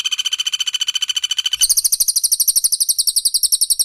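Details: Close 'tembakan' exchange between cililin and Common Flameback (pelatuk bawang), a masteran recording for training songbirds. A steady mid-pitched rapid trill gives way to a higher, shriller trill of doubled notes that repeats fast to the end.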